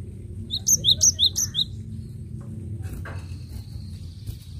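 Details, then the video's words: Cinereous tit song used to lure birds: about four quick, sharp two-note phrases in a tight series, each a high note slurring to a lower one, then quiet with a few clicks and low hum. "Suara Gelatik Batu Gacor Recomended untuk pancingan"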